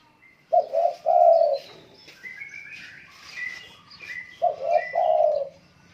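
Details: A spotted dove in strong song repeats a hollow three-part cooing phrase twice, about four seconds apart, while other small birds chirp and twitter in the background.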